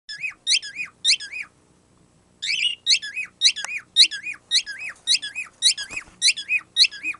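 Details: Pet bird making a squeaky-toy-like noise it was not taught: sharp high squeaks with a stacked, nasal quality, each dropping into a lower curl, repeated about twice a second in bursts with a short pause.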